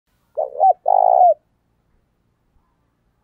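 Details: Spotted dove lure call meant to provoke other males: one deep cooing phrase, a short two-note coo then a longer steady purring coo lasting about half a second, followed by silence and a fresh coo starting at the end.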